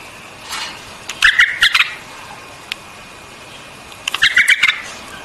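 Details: White-eared bulbul singing, two bursts of short chattering notes around mid-high pitch, each lasting under a second, separated by a pause, with steady background hiss.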